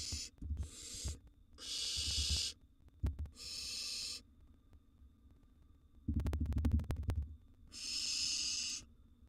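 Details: Wild barn owl nestlings in a monitored nest box during a feeding frenzy, prey dropped in while a second nestling eats a large gerbil. Long harsh hissing screeches, four bursts about a second each, separated by soft thumps and shuffling.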